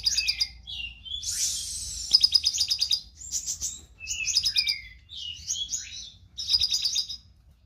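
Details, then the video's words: Continuous chatter from a konin lovebird, recorded as song training material: rapid high twittering, harsh buzzy rattles and short squeaky chirps running in phrases one to two seconds long, with a quiet background. "Konin gacor materi love bird"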